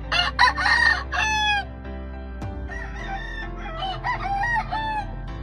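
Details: Grey Kelso Albany chicken at a farm crowing repeatedly: rapid harsh, stuttering notes at first, then a longer ragged crow, fading to softer crowing later, with background music and one thud.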